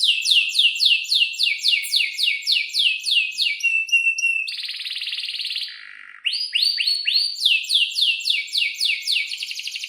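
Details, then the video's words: Singing canary in breeding mood, giving long rolls and sharp chirps meant to prompt silent or young canaries to sing. It pours out fast rising slurred notes, then a dense buzzy roll, a short pause, and more rising notes. "kenari gacor panjang buat pancingan kenari paud belajar bunyi agar NYAUT"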